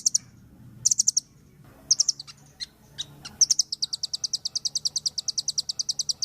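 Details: Velvet-fronted nuthatch, locally called rambatan paruh merah, singing energetically: scattered sharp high chips, then a long steady run of evenly spaced, piercing high notes, about four per second.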